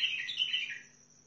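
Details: Sihani bulbul from Al-Faw near Basra opening the clip with a quick liquid warble that fades out after under a second, leaving only a faint steady high tone.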